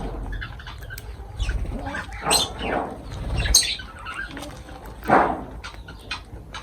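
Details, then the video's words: Pet lovebirds calling while feeding, giving a few scattered harsh squawks and short chirps at irregular moments, with low rumbling handling noise underneath. "Love birds voice sound"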